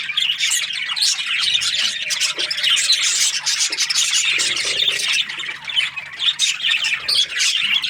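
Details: An aviary of breeding budgerigar pairs fills the air with busy chirping, harsh squawks and rapid twittering, overlapping without a break, a few lower nasal notes showing in between.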